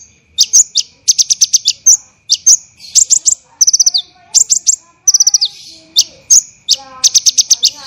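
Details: High-pitched 'tembakan rapat dan kasar' bursts from an olive-backed sunbird (kolibri ninja), a training recording for songbirds: short rapid volleys of sharp notes separated by gaps, two quick descending trills, and faint lower chirping behind.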